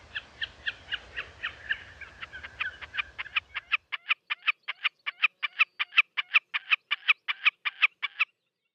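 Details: Wilson's snipe calling a long, steady series of sharp, clipped notes, about three per second, loud and regular after a low rumble of background noise fades out.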